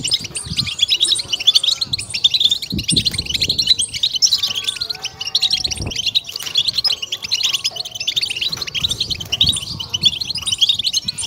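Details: European goldfinches in a 'bitbita' chorus meant to stimulate and excite birds: dense, overlapping twittering and tinkling notes, unbroken throughout, with faint low thumps beneath.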